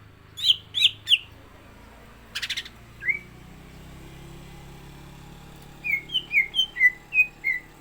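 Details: Three loud whistled notes from a caged greater green leafbird (cucak ijo) before a contest, then a buzzy burst, a lone slurred note and a quick series of six falling whistles.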